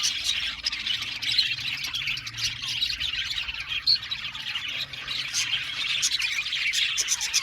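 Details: Many budgerigars chattering in a colony aviary: steady high-pitched warbling and tweeting, with occasional louder sharp squeaks rising above the crowd.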